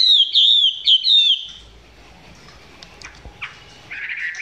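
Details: Close recording of a Chinese hwamei in song that is not yet fully intense: four loud, high looping whistles in quick succession, followed by quiet background and a few faint notes.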